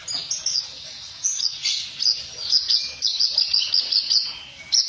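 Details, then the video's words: Reed warbler training recording with harsh notes: high, thin chattering phrases broken by short pauses, with bright repeated chips near the end. "Suara burung kerak basi masteran suara kasar"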